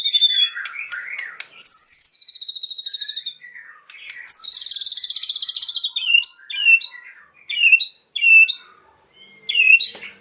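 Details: White-rumped shama song full of cililin imitation: chattering notes, a sustained high pulsed trill, a second strong buzzing trill, then separate clear whistles that bend downward, spaced about half a second apart.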